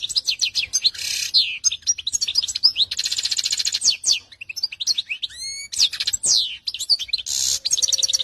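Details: Canary singing a long, varied song of rapid high trills, buzzy rolling phrases and sharp down-slurred notes, with a run of rising whistles midway and soft low notes near the end. No other sounds intrude.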